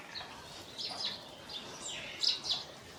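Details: Scale-breasted munia recorded in Assam, northeast India, March 2025, giving thin high chirps in small bursts, two louder notes close together near the end, over a quiet background.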